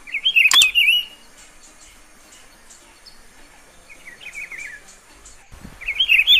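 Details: Rufous-browed peppershrike singing in the wild in Pernambuco, Brazil, a shy bird hidden in vegetation that sings all day: short warbled, rolling phrases in three bursts, with loud handling knocks and steady insect hum behind.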